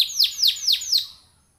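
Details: Canary lure song meant to prompt other canaries to sing: four loud, sharp, high whistled notes sweeping steeply downward, evenly spaced about a quarter second apart, then fading out.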